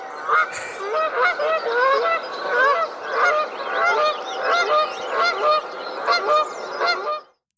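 A flock of Canada geese honking over one another: loud, nasal, two-note honks that rise and fall, coming thick and fast, more than one a second.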